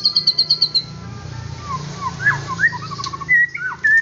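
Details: Kept White-rumped shama from Indonesia singing: a quick run of six sharp high notes, then a pause and lower whistled slurs, a short stuttering series and bright rising whistles, with a low background hum.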